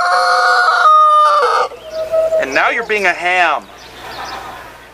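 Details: Near Katakolo, Greece, in June 2014, a rooster at a restaurant finishes a sustained crow, then adds a rough, broken series of wavering calls before quieter background noise.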